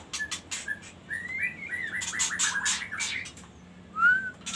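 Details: Magpie-robin giving soft whistled notes and a rougher warbling stretch, then a clear, loud, falling whistle near the end, with clicking sounds in the background.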